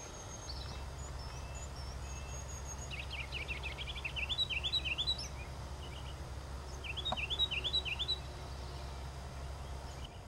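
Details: Ruby-crowned kinglet delivering rapid runs of high, rising-falling chevron notes in two bursts about four seconds apart, with thin high whistles early on and steady low background noise.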